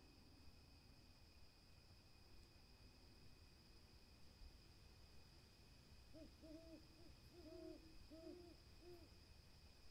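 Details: Owl hooting: after six seconds of quiet hiss, a quick run of about six short, arched, mellow hoots bunches into the final three seconds, set against steady background hiss and two constant high insect-like tones.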